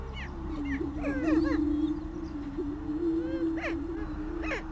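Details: Greater prairie chicken (Tympanuchus cupido) of the United States: a continuous low booming drone, topped by frequent rising whoops and cackling squeals, several in quick bunches, with a soft low rumble beneath.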